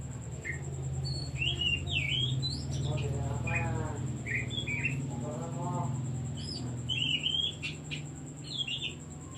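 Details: Oriental magpie-robin song intended to trigger other birds: clear whistles and chattering notes in short groups, with two buzzy harmonic bursts in the middle, low humming background noise and a steady high tone.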